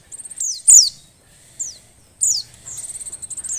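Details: Breeding-condition female Oriental white-eye calls so that lazy males will sing: loud, piercing, downslurred whistles alternating with fast, rhythmic, ticking trills, very clean and close.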